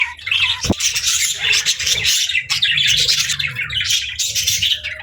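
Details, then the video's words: Pet budgerigars singing and chirping: a dense, continuous chatter of rapid buzzy warbles and squeaky notes, with a brief low thump near the start. "Budgie Singing & Chirping Sounds | Relaxing & Happy Parakeet Sounds"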